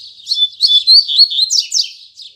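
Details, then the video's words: Short loud phrase from a Double-collared seedeater singing Tui Tui Zel Zel song in the morning: quick, bright whistled notes that slide up and down in pitch, ending with a few sharp downswept chirps. "Coleiro Braddock Abrindo Canto Tui Tui Zel Zel Firme Pela Manhã!!!"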